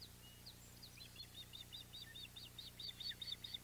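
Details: Osprey calling at the Audubon Boathouse nest on 14 July 2021 while a mackerel is at the nest: thin, high whistled chirps in a quickening, uneven series that grows louder near the end, over a constant low hum.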